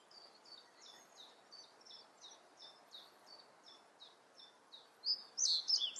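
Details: Reed bunting song: a faint, steady run of short, high chips repeated about three times a second, ending in a sudden louder flourish of sharp, twisting notes, with gentle background hiss outdoors.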